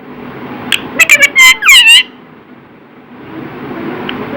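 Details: Pet talking parrot said to say "Radhe Radhe": a quick burst of short, harsh, voice-like syllables followed by two longer rising-and-falling words, then quiet room hum.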